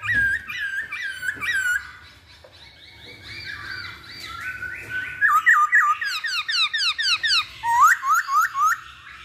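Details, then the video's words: Masked laughingthrush song played to prompt birds to sing: loud, ringing whistled phrases of repeated upslurred notes, running fast and accelerating into a long, steady series of similar sharp whistles near the end. "Pancingan Poksay Hongkong Paling Ampuh"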